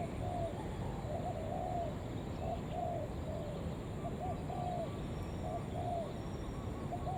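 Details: A spotted dove lure call meant to attract other doves: low, rounded cooing notes in a steady repeated series, heard through constant broadband hiss.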